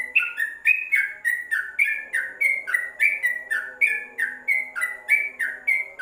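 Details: Sustained Yellow-vented bulbul song recorded to tutor caged birds, with a rapid unbroken chatter of liquid whistled notes, over three per second, rising and falling in an irregular lively pattern.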